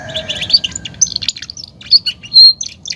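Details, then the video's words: Caged Belgian canary in the campainha song style, giving high clipped trills and bright whistled notes, with a long sustained tone near the end, over a faint low hum. "canario belga campainha"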